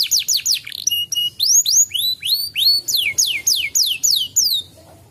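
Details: Canary song to coax a canary that is reluctant to sing: high, clear downward-sweeping whistles repeated about four per second, with a few short pure tones, faint low rumble behind.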